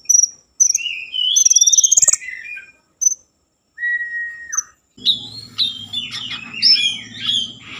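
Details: Common iora song played to stimulate breeding mood and singing: a rapid rattling trill with rising whistles, a lone drawn-out falling whistle, then busy twittering over a low hum.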